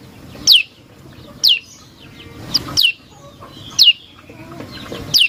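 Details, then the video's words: Prinia lure song: loud, steep downward-sweeping whistled notes, single or in close pairs, repeated roughly once a second over faint background noise. "Pancingan Prenjak Lumut Isian Sekali Denger Langsung Nyaut"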